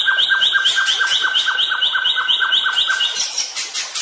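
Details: White-rumped shama training audio for caged birds: a fast, even series of paired high and low notes, about two per second, in a steady repeating rhythm.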